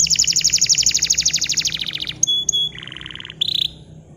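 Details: Bottle-green canary song, used as a model for young canaries learning to sing. It opens with a rapid, high pulsing trill, then shifts to lower buzzy rattles, with short squeaky notes between the sections.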